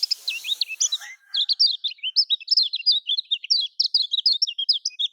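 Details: Lemon-bellied white-eye (kecial kuning) song from Lombok, used to prompt quiet caged birds to sing: rapid, continuous chatter of short high whistled notes, sharply rising and falling, with a few drier notes at the start.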